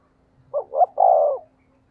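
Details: Decoy spotted dove calling to stimulate wild doves: one short phrase of two soft, low coos followed by a longer, rough, drawn-out croon, with a faint steady hum underneath.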